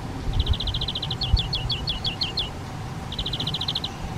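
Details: Spotted flycatcher at a half-open nest box on the back wall of a garden hut, parents feeding two nestlings on flying insects during a replacement brood. Quick runs of high, even ticking notes, then a burst of sharp downslurred chips, with another ticking run after a pause.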